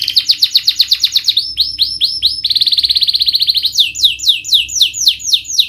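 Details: Canary lure song played to push reluctant, stressed canaries into singing: fast rhythmic trills of repeated high rising-falling syllables, about four per second, shifting through several tours, with a thin high whistled line above.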